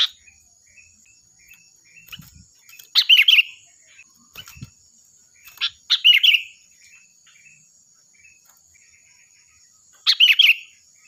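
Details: Sooty-headed bulbul singing loudly and shrilly as a training model for other birds: three bright, chattering whistled phrases near 3, 6 and 10 seconds, separated by quiet gaps, over a faint steady high hum.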